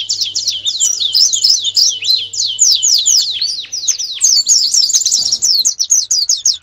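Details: Canary master song for national contest preparation: dense, nonstop high trills of swooping notes, shifting from one rolled phrase to the next without a break.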